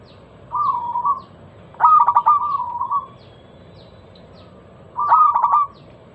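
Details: Clear repeated phrases from a local zebra dove, a lure song for prompting other doves to sing: a soft purring phrase, then a louder run of quick clipped coos into a long held note, repeated about three seconds later.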